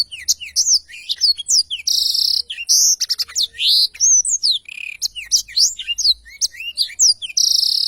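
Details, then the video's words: A Black-throated Canary sings a long, unbroken rolling song of quick, high twittering notes and sweeps, broken by bright buzzy trills every few seconds, in clear audio meant as a tutor recording. "Tarikan Suara Blackthroat Super Gacor Ngerol Panjang"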